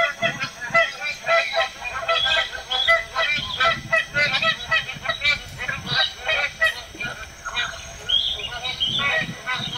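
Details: Magpie geese in the Northern Territory keep up a long flock chorus: many overlapping honks pulsing in irregular bursts, loud and continuous, over a soft low rumble.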